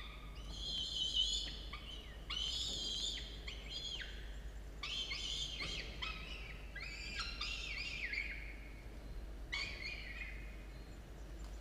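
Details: Young falcons at their nest, chicks of 17 and 13 days, early morning of 27 October 2022; long bouts of loud, rasping, harmonic screams that waver and drop, grouped in bursts of one to two seconds separated by short silences.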